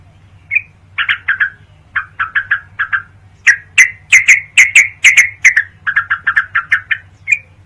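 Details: ['Sooty-headed bulbul training song meant for night use: clusters of quick chirps alternate with sharper, louder notes in an uneven chattering sequence, with a faint low hum underneath.']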